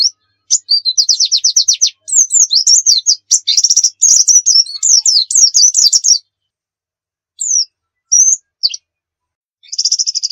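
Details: Dakun Javan white-eye from Pacitan singing energetically for tutoring: a rapid even trill, then dense twittering and slurred whistles, a pause with single chirps, and a final buzzy trill.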